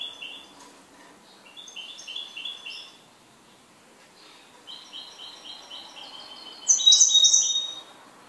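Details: Kept goldfinch singing: runs of quick, high, slightly buzzy notes in short repeated series, a pause, then a longer run ending in a louder, shrill twittering burst; faint background hiss.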